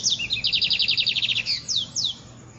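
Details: Dawn song of a lined seedeater, singing wildly: a fast train of about a dozen high, evenly repeated chirps followed by two downward-sliding whistled notes.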